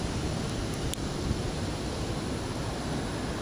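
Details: Dense roaring wind or surf-like noise runs throughout, broken by a single sharp click, with no animal call.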